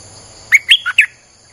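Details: Streak-eared bulbul, used to draw in wild birds, gives a single rapid four-note chirping phrase, notes sliding up then down, the third dropping lower, against a soft continuous high hum.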